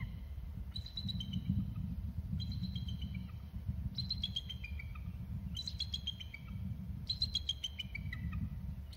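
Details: Both bald eagles of a pair calling after settling on one perch: five bursts of shrill, descending piping chatter, one roughly every one and a half seconds, over a low steady rumble.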